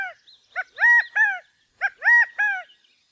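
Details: California quail giving mating calls: two three-note phrases, each a short clipped note, then a loud drawn-out middle note and a falling final note, repeated about a second apart.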